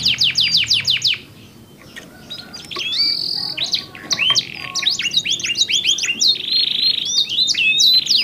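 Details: Two canaries countersinging with different tone colours: a fast trill, a short near-silent gap, then buzzy rolls, sharp chirps and brief whistles building back to loud, rapid song.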